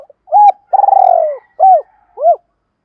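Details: Spotted dove acting as a decoy, cooing 'thúc rút' style to bring wild doves quickly to fight. A single clean coo, a long trembling rolled note, then two rounded descending coos in quick succession.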